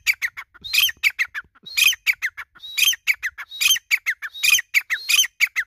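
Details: Desi grey francolin (teetar) calling: a loud, harsh, squawky phrase of high, falling notes, repeated roughly once a second in a fast, steady run, with no other sounds.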